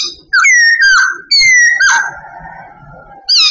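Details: Babbler in training, singing long, clear whistles that hold steady or drift slightly downward, one after another, ending in a lower drawn-out tone before a sharp high note.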